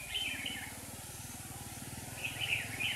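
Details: Caged decoy red-whiskered bulbul in Hòa Bình, singing in a trap to draw in wild rivals; a bright warbled phrase opens, then quiet, then two more chirpy phrases at the end over low rumbling noise.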